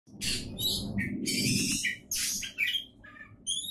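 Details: Oriental magpie-robin, a prospective contest champion, singing bursts of harsh, buzzy high notes mixed with short whistles, over a steady low rumbling background noise.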